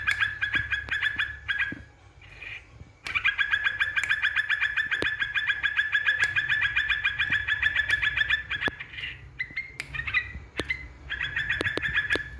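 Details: Yellow-vented bulbul song used to provoke rival birds: a brief chattering phrase, a pause, then a long unbroken stream of fast, even, buzzy pulses, ending with more broken bursts.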